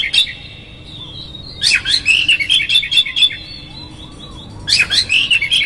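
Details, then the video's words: Oriental magpie-robin song played as a lure to provoke another magpie-robin; rapid bursts of high chattering, scratchy notes in two dense runs separated by a short pause. "PANCINGAN Kacer GACOR seketika Buka Ekor KONSLET bongkar ISIAN KASAR agar KACER emosi"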